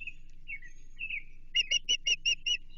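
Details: Osprey at its Chesapeake nest, 28 June 2023, feeding time with an American shad; soft slurred whistles at first, then six loud, evenly spaced sharp chirps in just over a second.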